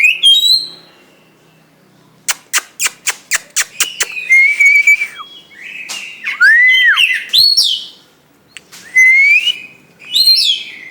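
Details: White-rumped shama, a caged songbird, singing loud varied phrases: whistled notes near the start, a burst of rapid sharp clicks, then rich rising and falling whistles and buzzy trills in bursts separated by short pauses.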